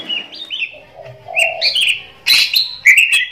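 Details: An Oriental magpie-robin sings a master song for tutoring other birds: a varied run of clear, sweet whistles that slide up and down, broken by a few harsher, scratchy notes.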